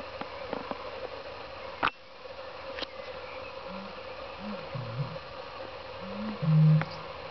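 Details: Eurasian bittern (Botaurus stellaris) displaying at Kattesteertvijver, Retie: booming, a few deep, hollow hoots ending in one louder, longer boom, over a steady background hum with a couple of sharp knocks.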